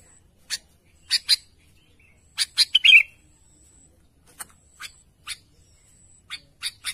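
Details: Sooty-headed bulbul calling its companions with scattered crisp chips and a quick cluster ending in a rich gurgling warble, then further spaced single chips and a closing triplet over a faint steady high hum.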